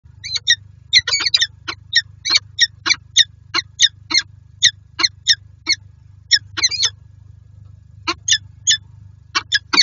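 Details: Wild peregrine falcon pair meeting in a nest box in Lublin, Poland, on 18 January 2023; loud harsh chip calls repeated in quick irregular series, some doubled, over a steady low hum.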